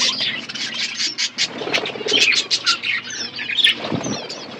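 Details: Pet budgerigars chirping while eating food: a busy run of short, bright chirps and twitters, rapid and overlapping, with a few harsher squawky notes. Several birds seem to be calling at once.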